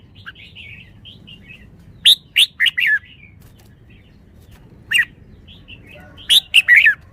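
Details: Red-whiskered bulbul with soft twittering notes opening, then loud ringing whistled phrases in quick groups of three or four, a pause, and another burst of rapid bright notes near the end, over a quiet hum.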